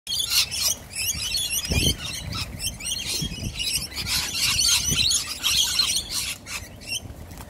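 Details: Wild Australian rainbow lorikeets squabbling in a chaotic group: dense, harsh high-pitched screeches and chatter overlapping continuously, with a few low thumps and wing flutters.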